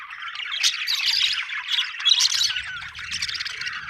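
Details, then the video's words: Budgerigars chirping happily: rapid chattering warble of rasping notes and short whistles, steady and crowded, with a faint low hum underneath toward the end. "happy budgie chirping sound"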